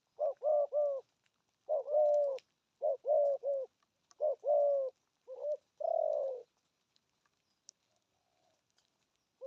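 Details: Spotted dove cooing in 'thúc' and 'gù' style with a deep, earthy tone. Several triple-note coo phrases are followed by one long drawn coo, then quiet with faint ticks.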